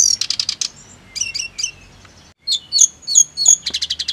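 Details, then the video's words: Snowy-browed flycatcher song for therapy to get birds singing: a rapid burst of buzzy notes, paired high slurred whistles, a short silence, then sharp chips and a closing run of quick buzzy notes. "TERAPI TLEDEKAN GUNUNG AGAR CEPAT GACOR NGEROLL"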